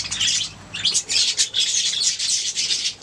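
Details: Budgerigars singing: a dense, continuous high warble of scratchy chirps and trills with brief gaps, lively and chattering throughout.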